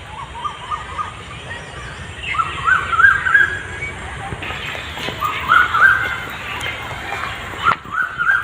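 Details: Asian koel calling in a tree-filled garden park near Eden Gardens in central Kolkata gives clear, rising whistled notes in two short bursts several seconds apart, over a person talking and steady background hum.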